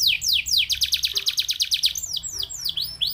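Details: Canary song for stimulating other canaries: a few falling whistles, a quick rolling trill of pulses, then varied chirps and sweeping notes.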